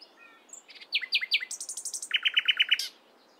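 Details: Nightingale in morning song, delivering a brisk sequence of repeated phrases: three swooping notes, then a higher rattling run, then a lower series of about seven rapid clipped notes, ending abruptly.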